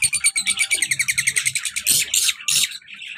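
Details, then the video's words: Colour male and black-masked female lovebird in a cage; a rapid, evenly pulsed string of high squeaky notes, followed by three loud harsh squawks. "colour love bird male and black mask female beautiful sounds"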